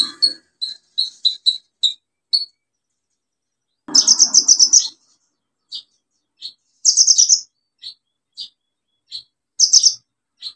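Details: Olive-backed sunbird in full song, played to stimulate silent sunbirds into singing: quick series of thin, high ticking notes and dense trilled bursts, with a brief low rustle in the middle.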